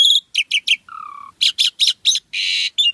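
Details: Asian pied starling, singing gacor with full isian, gives sharp paired chirps, a low steady whistled note, a string of loud chattering bursts and a harsh buzzy rasp, in crisp silence.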